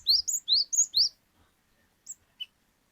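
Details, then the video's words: Cinereous tit in the 'wucit wucit' style, used to prompt other birds to sing: five quick rising whistled notes about four a second, then a pause and two lone high chirps. "Pancingan Burung Glatik Batu Gacor Glatik Batu Bahan Auto Ngeplong Wucit Wucit Panjang"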